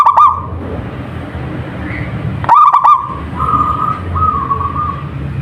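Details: A local zebra dove in full song gives a short trilled coo, then after a pause a louder bubbly phrase followed by softer wavering held tones.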